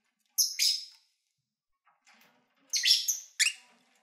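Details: Pet lovebirds calling while eating and having fun: a loud buzzy double chirp, a quiet gap with soft rustles, then a second rapid cluster of harsh high chirps.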